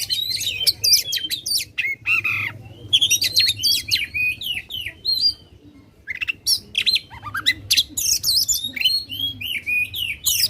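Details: Oriental magpie-robin singing loudly in contest style to provoke other contest birds: rapid bursts of sharp whistles, sweeping slurred notes and scratchy chatter, with a short quiet gap midway.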